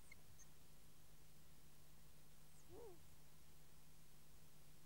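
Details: At a nest in Kielder, Northumberland, a long-eared owl picked up by a nest microphone beside an infra-red camera gives a single brief, low, arched note, with faint high chirps before it and a constant low electrical hum.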